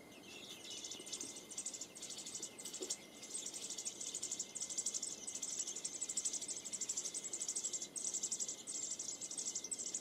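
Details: Nest of American robin chicks, three young that left the nest within 13 days of hatching, producing a steady, high, hissy chattering of fast chirps in rapid pulses for ten seconds, with a faint steady tone in the background.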